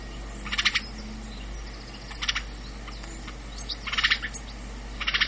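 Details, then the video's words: House sparrow (Passer domesticus) giving short bursts of harsh, chirpy notes, several quick chirps per burst, repeated at irregular intervals over a low background hum. "Wróbel Passer domesticus"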